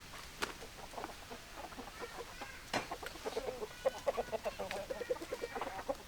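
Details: Chickens, hens and roosters, clucking softly: short low clucks and brief tonal notes scattered irregularly, with a few sharper clicks and a faint noisy background.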